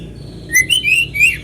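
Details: White-rumped shama song meant to lure other shamas into singing: a brief run of clear rising and falling whistles, loud and bright, over a low background hum.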